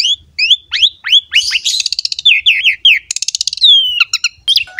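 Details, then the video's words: Asian pied starling in rich song meant to train young birds: crisp upslurred whistles, a fast buzzy trill, clicking rattles and a long, thin descending whistle near the end. "MASTERAN BURUNG JALAK SUREN GACOR"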